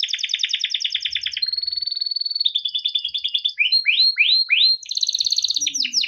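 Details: Captive male yellow canary singing tutor song for young birds: a fast pulsing trill, a long level whistle, rising then falling slurred notes repeated about four times, and a closing high buzzy roll.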